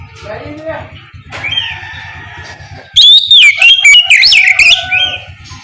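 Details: Morning ngeplong singing of an Oriental magpie-robin, used to coax other magpie-robins into answering; quiet scattered chirps over hum, then a burst of loud, clear whistles with swooping, twisting notes for nearly two seconds.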